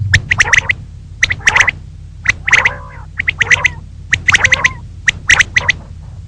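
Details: Morning calling of a female common quail: rapid clusters of sharp clicking notes and rasping, nasal squawks, repeated about once a second over a low steady hum.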